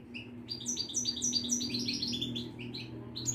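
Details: European goldfinch of the Moroccan widani type at a Casablanca bird market, singing a quick, high twittering run of bright chirps and short whistled notes, several per second, over a low steady hum.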